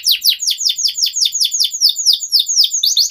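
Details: Canary singing at length as a tutor for young birds: a steady series of bright, downward-slurred chirps, several per second, forming a fast rolling phrase.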